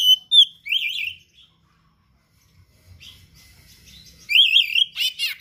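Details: Oriental magpie-robin in vigorous song with rare mimicked phrases, meant as a tutor recording: opening whistled notes and a looping warble, a quiet stretch with faint low rumble, then loud rolling warbles and harsh bursts.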